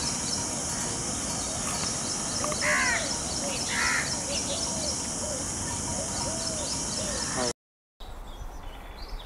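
A peafowl gives two loud, nasal wailing calls about a second apart, over a steady high insect hiss and faint chirps of other birds.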